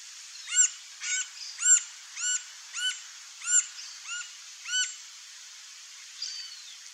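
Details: Green-barred woodpecker, seen feeding on ants, in its natural habitat in Brazil: a series of about nine short, arched, ringing notes with bright overtones, spaced roughly half a second apart, over a steady high hiss of insects.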